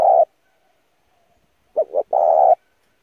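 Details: Spotted dove driving coo for training decoy birds: the end of a coo, a pause, then one phrase of two quick low hoots and a drawn-out hollow coo, otherwise quiet.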